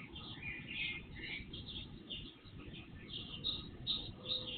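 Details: Early-morning birds before sunrise on a surveillance-camera recording: soft warbling twitters and brief whistled notes, several birds overlapping, set against a loud low rumble and hiss.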